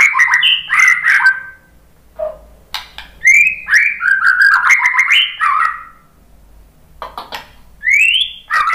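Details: White-rumped shama answering a lure recording with dense warbled phrases, a low short note, then a long run of rolling mid-pitched whistles, a pause, and a rising whistled ending.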